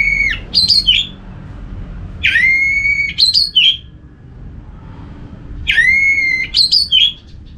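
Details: Orange-headed thrush producing loud, long, clear whistles, each ending in quick twittering flourishes and repeated three times at intervals of a few seconds. The recording serves as a sound prompt to get other thrushes singing.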